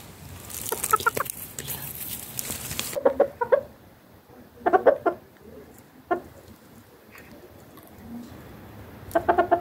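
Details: Chickens and roosters going about daily life in a garden: short, throaty clucks in bursts of several notes, returning every one to three seconds, with a steady broadband hiss during the first three seconds and quiet gaps between bursts.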